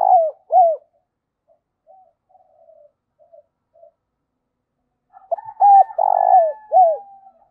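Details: Wild-dove lure of a decoy spotted dove in the 'giọng thổ' style: a falling two-note coo, soft murmurs, then a full cooing phrase with a rolled middle note, overlaid by a thin steady whistle-like tone.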